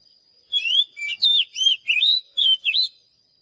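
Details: Oriental magpie-robin song for training songbirds: seven clear phrases of sweet whistled slurs, each swooping up or down, delivered at about three per second.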